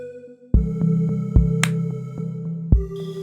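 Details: Synthesized electronic music with deep bass thumps and sustained tones, no animal voice present.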